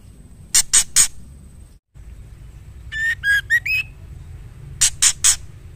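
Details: A female white-rumped shama calling a male gives three harsh grating notes, then a quick series of whistled notes climbing in pitch, and closes with three more harsh notes. A faint steady whine runs in the background.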